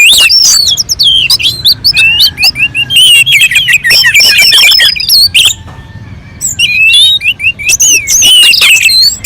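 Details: Orange-headed thrush song from a mountain slope, used to prompt other birds to sing: energetic, varied whistles and mimicking chatter, a short quieter gap midway, then renewed bright slurred phrases.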